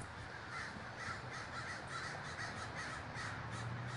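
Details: Large communal gathering of crows at Davis, California: a dense, continuous wall of overlapping harsh caws from many birds, with no pauses and a steady low rumble underneath.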